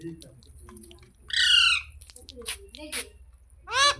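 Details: Talking parrot in a room, a long, buzzy, sustained squawk in the middle, some short chirps and clicks, then a sharp screech at the end.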